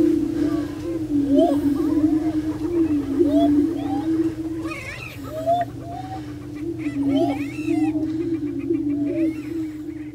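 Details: Several prairie chickens on a lek at Bluestem Prairie Preserve near Glyndon, Minnesota, keep up a deep, continuous hooting drone, while frequent cackles and upward-sweeping whoops break out above it.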